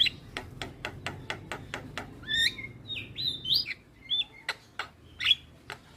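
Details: Lure song of a Javan myna (jalak kebo) for waking up a lazy singer: a steady series of sharp ticking clicks, then twisting whistled and squeaky phrases, with more clicks scattered at the end.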